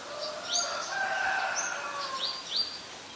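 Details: Common myna recorded in Ubon Ratchathani, Thailand, May 4, 2022, with a Nikon P1000: a string of quick upswept whistles over a low, rasping, drawn-out chatter and faint background hiss.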